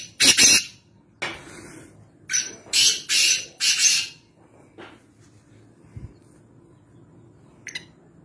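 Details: Black francolin, known locally as kaala teeter, recorded at Nawabshah, Pakistan: a loud, harsh, grating phrase of about five rasping bursts over four seconds, the later ones paired closely, then a quiet background with faint distant ticks.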